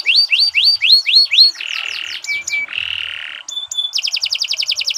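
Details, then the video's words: Canary song for training other birds: rising slurred whistles repeated rapidly, then a buzzy rattle, brief level tones and a fast bright trill. "Kicau Burung Kenari 164 II LUAR BIASA GACOR PANJANG Cocok untuk Masteran"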